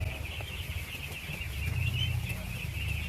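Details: Thousands of ducklings being fed, producing a dense, continuous high peeping chorus that wavers without pause, over a strong low rumbling hum like machinery.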